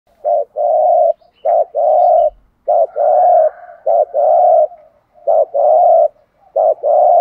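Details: Spotted dove calling in the thổ đồng (thổ pha đồng) style with urgent 'thúc gù' cooing, used to stimulate training doves. Low, mellow coos come in repeated two-part phrases, a short note then a longer sustained hum, about five times in a row.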